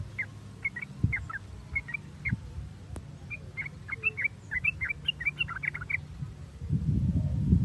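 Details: Sooty-headed bulbul song used as a lure to stimulate other bulbuls to sing: short bubbly chirped notes, first spaced about half a second apart, then a quicker run of paired rising and falling notes, over low rumbling background noise.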